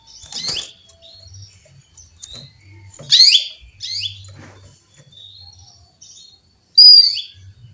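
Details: Female canary calling a male: loud, harsh descending chirps spaced irregularly over several seconds, each a short buzzy sweep, with a clear whistled note near the end and quiet low rumble between.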